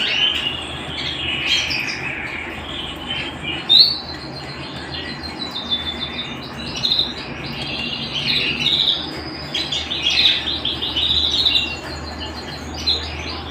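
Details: A canary singing indoors: rapid high trills and chirping phrases run almost without pause, with a brief louder rising note near the start and a faint hum underneath.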